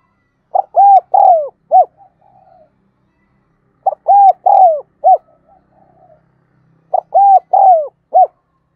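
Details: Lure-bird spotted dove repeating its cooing phrase three times about every three seconds, each a short note, two long low coos with a downward slide, and a clipped end note, with faint soft murmurs between.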